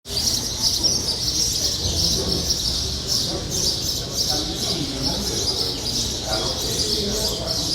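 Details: Lively, chatty birds in full song: a dense continuous chorus of high chirps and twitters, with repeated bright notes over a steady hiss and a low rumbling background hum.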